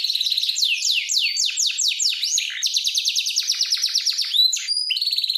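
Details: Canary training song: fast trills of repeated downward-sweeping notes, then a rapid rolling buzzy tour, ending with short whistled tones, all high-pitched and continuous.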